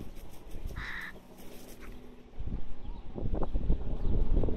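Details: Young crow in the Rosental park, Leipzig, Germany, gives one short, harsh, nasal call lasting about half a second, followed by low rustling and thumping noise close to the microphone.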